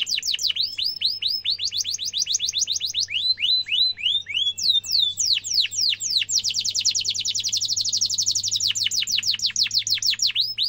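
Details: Canary in strong song meant for young canaries to learn: repeated downward-swept chirps in series, then a dense fast trill and more sweeping chips, with a low hum underneath.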